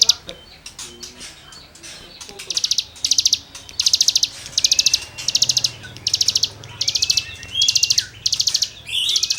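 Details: Tutoring song of a cigun for songbirds: after a quiet start, regular half-second bursts of buzzy, rapidly repeated high notes follow one another almost every second, with faint twitters between.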